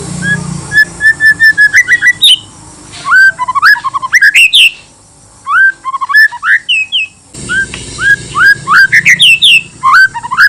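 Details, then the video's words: Male White-rumped shama singing to provoke other shamas into answering: rich varied song of rapid whistled slurs, rising sweeps and sharp high chips in dense phrases with brief pauses. "pancingan paling ampuh bakar emosi murai lain dijamin nyaut"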